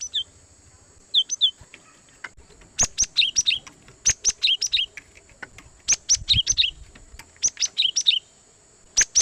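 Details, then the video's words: Cinereous tit (gelatik batu) recorded as a trapping lure, loud and clear: rapid series of sharp high notes dropping in pitch, delivered in bursts of four to six, repeated throughout with brief pauses. "suara Gelatik Batu Pikat sangat Baik Untuk Mikat Burung Gelatik Liar"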